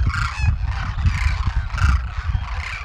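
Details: Demoiselle cranes from a huge wintering flock in Rajasthan, India, near farmland and villages: loud croaking honks rise in bursts roughly every half second to second, many birds overlapping, with strong low-pitched rumble underneath.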